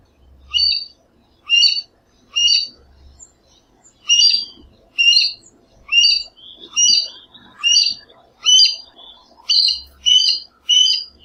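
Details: Chestnut-eared Aracari of the Brazilian Cerrado giving a series of short, sharp, high squeaky notes repeated roughly once a second, twelve in all, evenly loud, with a few soft low thumps in the background.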